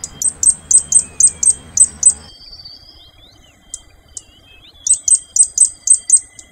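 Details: Fire-breasted Flowerpecker, subspecies Dicaeum ignipectum formosum, giving a rapid run of about eight sharp, very high ticking notes, a short pause with faint thin sounds, then another run of seven similar notes.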